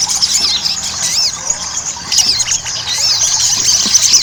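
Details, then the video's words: Ruby-cheeked sunbird (sogon) in lively, chattering gacor ngobra style, used as a lure to make birds sing: dense, high, thin squeaky notes with quick looping up- and down-slurs, continuous and overlapping. "PANCINGAN SOGON AGAR CEPAT GACOR"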